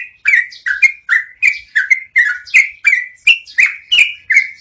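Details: Yellow-vented bulbul, its long rolling song used as a training recording for cage birds: steady, evenly spaced chattering whistles, mostly downslurred, some with a rising flick, about three per second.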